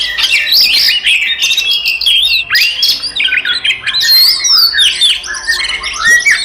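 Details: Provocation fight song of five Oriental magpie-robins: crowded, overlapping whistled trills, squeaks and rough chattering notes forming a continuous, energetic mass of sound from start to finish.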